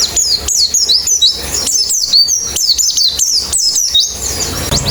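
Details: White-eye therapy sound for making the birds sing with open beaks: quick runs of high, falling chirps in clustered bursts, several birds calling together, ending with a short rising note.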